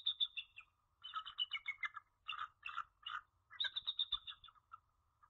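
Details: Female bald eagle at her nest at Jordan Lake, calling for her mate on 21 January 2013 around 5:35 pm; bursts of rapid, thin, high piping notes, chattering and slightly descending, in three or four runs.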